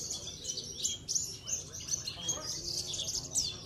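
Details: Caged Javan bush lark of the parva race, a contest bird from Cilacap that regularly wins trophies, pours out dense, rapid high chirps and trills, a busy run of short twittering notes, with low murmuring of people behind.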